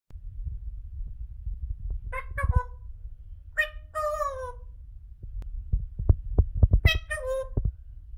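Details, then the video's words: Pet African grey parrot talking for the first time, saying "peekaboo": short harmonic, voice-like syllables with falling tails come in three bursts over quiet room noise, with soft low thumps and taps. "Parrot Talking for the First time... PEEKABOO"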